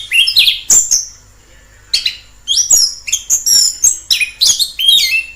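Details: Orange-headed thrush singing in the wild: varied whistled phrases mostly high, some sliding and sweeping down, with short bursts and pauses, a brief gap near one second; no other clear sounds.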